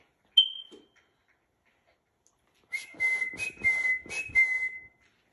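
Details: Rainbow lorikeet being taught tricks: a single bright high whistle blip, a pause, then a two-second burst of level whistled tones interleaved with rasping screech pulses, ending abruptly in silence.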